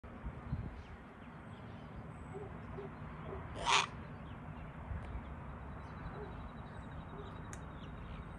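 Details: A wild Australian cockatoo, one of the local cockies, gives one harsh, raspy screech midway through, which is described as saying hello. A steady low background rumble runs under it with a few faint chirps.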